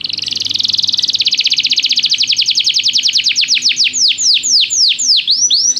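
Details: Canary song for canary training, played to make a canary start singing: a rapid rolling trill that slows into bright, repeated downward-swooping notes, with a faint low hum beneath.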